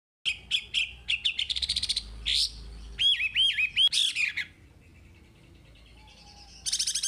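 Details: Chinese hwamei song played to train caged birds: rapid varied phrases of loud whistled notes, buzzy trills and chattering bursts, with a brief quieter pause before a final harsh rattle.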